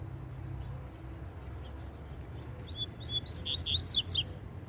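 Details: Male double-collared seedeater, wild-excited as a female feeds on seeds on the ground nearby, sings faint high whistles, then a quick burst of sharp rising chirps growing louder, over a steady low rumble.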